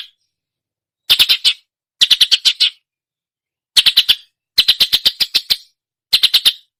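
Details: Imitating other songbirds, a long-tailed shrike delivers quick bursts of four to seven rattling, clicky notes, each burst under a second long and separated by short silences.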